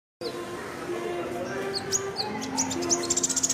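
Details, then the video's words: Sunbird, known locally as kolibri ninja, singing rapidly and nonstop: thin, high chirps and short sweeping notes that build into a fast run of sharp ticks near the end, over background music and a low voice. "kolibri ninja nerecet"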